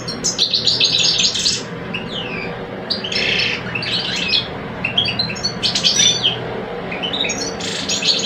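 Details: Two caged male European goldfinches in Algeria, older and two-year-old, trade song in a contest. Buzzy rattling bursts alternate with sliding whistled notes and quick tinkling chirps throughout.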